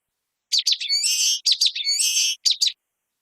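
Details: A common waxbill gives two song phrases. Each is a few rapid, high notes leading into a drawn-out, scratchy buzz. Two quick closing notes follow, with no other sounds.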